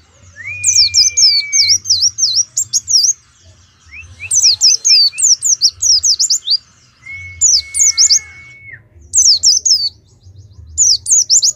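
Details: Caged Oriental white-eye at a songbird contest in Pemalang, Indonesia, delivering bursts of rapid, high twittering notes, interspersed with long flat whistles, with faint low thumps beneath.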